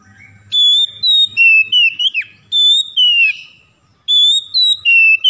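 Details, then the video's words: Oriental magpie-robin song meant to prompt quiet birds to sing: loud, pure whistled notes in repeated phrases, long held tones stepping lower, one quick swoop, then the phrase starting again after a short pause. "PANCINGAN KACER BISU MALAS BUNYI AGAR CEPAT NGEPLONG DAN GACOR"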